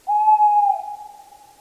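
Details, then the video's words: Tawny owl song, one even, hollow hoot starting abruptly, held steady for about three quarters of a second, then fading gradually in echo. "Canto da Coruja-do-mato (Strix aluco)"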